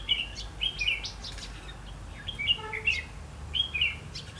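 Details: Red-whiskered bulbul used as a decoy in trapping on 8 October 2016, repeating short, cheerful warbled phrases roughly every second, bright and liquid against quiet background noise.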